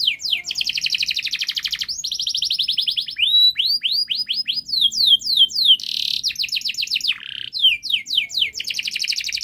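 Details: Model song of a canary, long and fast with closely set notes, meant to teach young canaries: quick high trills trade with upswept whistles, broken once by a harsh noisy burst, then trilling resumes.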